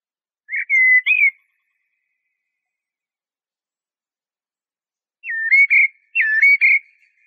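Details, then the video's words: Eurasian blackbird, locally called jahmoumia, singing: a short fluted whistled phrase, then a long silence and two more clear whistled phrases that dip and rise. The background is silent. "تغريد طائر شحرور (جحمومية)Merle noir"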